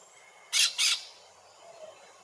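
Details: Brown-throated parakeet (subspecies surinama) in tropical rainforest in French Guiana gives two harsh, grating, high, noisy screeches in quick succession, followed by faint distant chatter.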